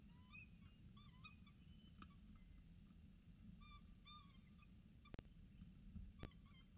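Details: Peregrine falcon chicks being fed by the adult female at Orange CSU, early morning of 26 October 2019: short, faint, bent whistles in scattered bursts, with clicks and a loud thump mid-way over low rumbling background.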